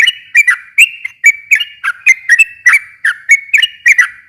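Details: Sooty-headed bulbul in long, rapid, nonstop song, used to provoke a silent bird into answering: bubbly whistled notes, each bending up or down, repeated about three times a second with sharp clicky overtones.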